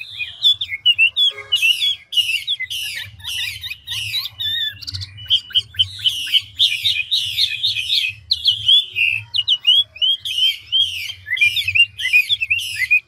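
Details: Chinese hwamei, a large, handsome mature bird of the 'ngũ trường' type, sings a fast, continuously shifting song: dense runs of sweet whistled notes and buzzy phrases, changing pattern every second or so, with a faint low hum beneath.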